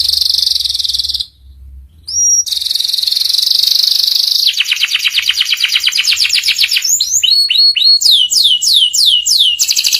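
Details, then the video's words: Canary master song with ngeriwik sounds, played so young canaries learn quickly: a fast buzzy trill, a brief pause, a thin whistle, then rapid rattling trills and a series of loud descending sweeping notes. "PANCINGAN SUARA KENARI PAUD CEPAT BELAJAR BUNYI NGERIWIK || MASTERAN KENARI PAUD"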